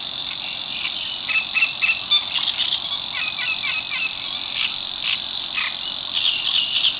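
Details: A Savi's warbler's unbroken, high, insect-like reel fills the marsh at Tancat de l'Illa, l'Albufera, with frequent short chattering notes from another bird scattered across it.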